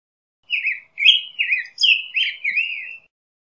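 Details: Black-headed grosbeak singing a continuous sweet warble of six linked, swooping phrases lasting about two and a half seconds, clean and free of other sounds.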